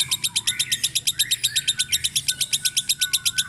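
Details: Fighter lovebird giving the ngekek: a long unbroken run of rapid, high, sharp chattering chirps, about six per second in steady rhythm, over faint low hum.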